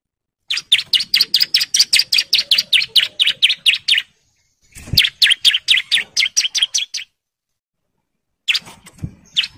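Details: Long ngebren song of a bar-winged prinia male in breeding condition calling females: two bursts of rapid, piercing chirps, each lasting several seconds at about four notes per second, separated by short pauses, with a third burst starting.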